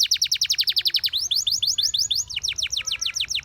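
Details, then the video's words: Canary song played to train canaries to sing: a rapid trill of repeated descending chirps, then a faster high buzzy roll and a final series of sweeping notes. "Your canary immediately sings when you hear this canary chirp"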